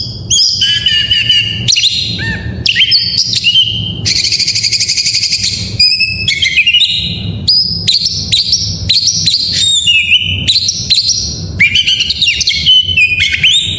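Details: White-rumped shama in full varied song, played to coax reluctant shamas into singing: a rapid stream of high whistled phrases, sharp upslurs and downslurs, and one extended buzzy rattling trill, delivered almost without pause.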